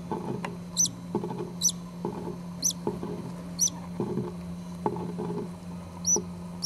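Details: Nest of four green-cheeked conure chicks, the oldest five days old, with their mother incubating a last egg: faint, high, thin peeps about every second, over a constant low hum and shuffling sounds.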